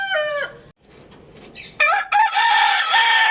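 A rooster's crow ends in a falling, strained tail, then after a short pause a second loud, harsh crow starts abruptly and holds a long ringing note.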